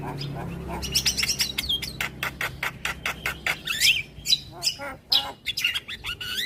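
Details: Morning song of a Javan myna that is said to set neighbouring mynas answering: rapid run of sharp clicks and harsh chatter mixed with slurred, rising and falling whistles, loud and varied throughout.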